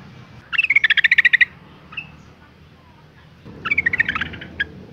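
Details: Calling female Yellow-vented Bulbul in breeding condition summoning males: a fast rattling string of about a dozen bright chattering notes, a lone short note, then a second rapid chatter near the end.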